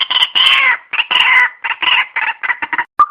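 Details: White-breasted waterhen call for trapping lures: loud, rasping, squawking phrases in short broken bursts, ending with a brief clear note.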